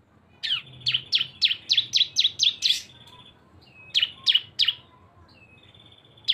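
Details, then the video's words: Lure of two cisem birds together: a quick string of nine sharp descending chirps over a faint steady whistle, then three more chirps and a final high note after a pause. "CISEM GACOR ‼️ SUARA BREN kombinasi 2 burung"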